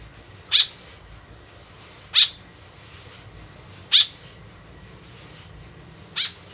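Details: White-breasted woodswallow call played as a lure, four sharp buzzy notes spread evenly about every one and a half seconds, short and high, with light hiss between.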